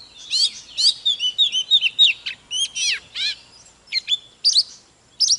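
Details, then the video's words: Fired-up 'kích lửa' song of an Oriental magpie-robin singing and dancing: rapid series of clear, sharply slurred whistles and bright chirps, with brief pauses between bursts. "Chòe than HÓT MÚA || KÍCH LỬA || Kích chòe than hót căng"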